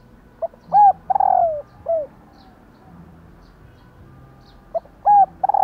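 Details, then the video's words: Female spotted dove, whose calls are played to get males cooing: one full phrase of short note, arched coo, long wavering falling coo and short close, then another phrase begins after a pause. "Tiếng Cu Mái/ cu mái kêu kích chim cu gáy trống gáy theo"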